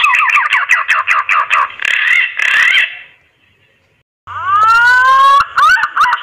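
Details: Green pigeon mating call used for luring: fast rapid-fire burst of harsh, rolling whistled notes for about three seconds, a pause of silence, then a long smooth rising whistle followed by short bent notes.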